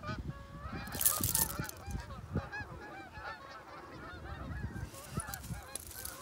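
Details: Geese on migration as summer ends: a dense chorus of overlapping, rising-and-falling honks from a passing flock. Brief hissy bursts of noise and soft footsteps or handling sounds come from a dog walk below.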